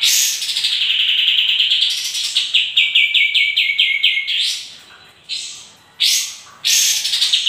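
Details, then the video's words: Sooty-headed bulbul in vigorous song meant to provoke answers: a long sustained warble, a rattling series of about nine quick repeated notes, then several separate sharp bursts. "PANCINGAN KAPAS TEMBAK GACOR DIJAMIN LANGSUNG NYAUT"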